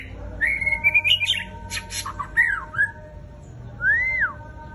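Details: Fierce white-rumped shama song, the bird known as Murai Raja Rimba: a quavering whistled run rising in pitch, clustered clicks, a dipping slurred whistle, then a pure arched whistle rising and falling, over a faint steady hum.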